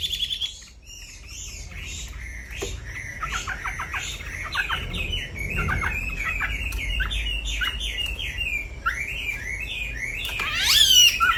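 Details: Striated grassbird singing at night as a lure and master recording: a busy stream of varied chirps, slurred upsweeps and downward whistles, tumbling continuously, ending in a loud burst of high, sharp notes.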